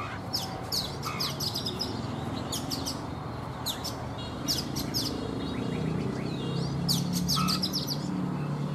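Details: A mature wild-caught Oriental magpie-robin, caged for three seasons, sings in the morning. It gives bursts of bright, high chirped and whistled phrases about every second over a steady low hum.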